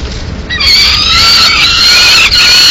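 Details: Peregrine falcon chicks in Madrid, 19 May 2016, as the female brings a pigeon that they eat directly; after half a second of low rumble, loud, continuous, harsh wailing squeals with stacked overtones hold steady, dipping briefly near the end.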